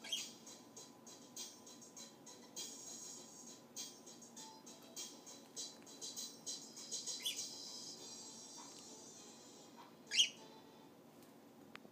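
Australian parakeets chatter continuously in high, twittering bursts, with a sharp squawk near the end over a faint steady hum.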